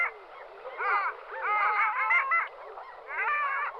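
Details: Long-tailed duck giving harmonic, yodel-like calls in bunched phrases. Notes waver and bend up and down, with a longer drawn-out phrase in the middle and a shorter burst at the end.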